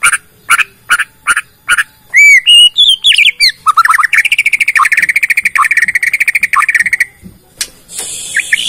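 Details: Bornean white-rumped shama singing its full repertoire of learned phrases to lure other shamas into song: a few sharp chips, then ringing whistles sliding up and down, ending in a long rapid trill of clipped notes.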